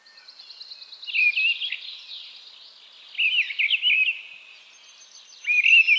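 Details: Mistle thrush delivering short, rich, wavering phrases in quick succession, three bursts within a few seconds, with thin high trills from another bird faintly behind.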